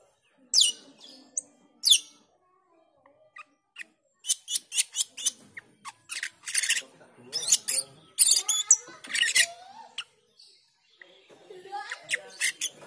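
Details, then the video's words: A black-winged myna calling, used as a lure to train young birds: two sharp, high, downward-sweeping whistles, then a run of loud, harsh, rasping bursts with chattering notes, repeated about every half-second. "Suara panggilan JALAK KELING lanjut ngriwik dan teler"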